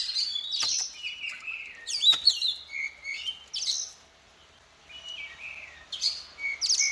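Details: Female Oriental magpie-robin singing so that males will answer in song: a moderately loud series of clear whistled notes and sharp chips, spaced into phrases with a brief pause midway.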